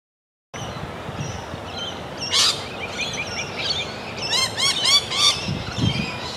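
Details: Sulphur-crested cockatoo giving a loud harsh call around two and a half seconds, then a rapid run of arched, ringing harmonic notes between four and five and a half seconds, over steady outdoor background noise.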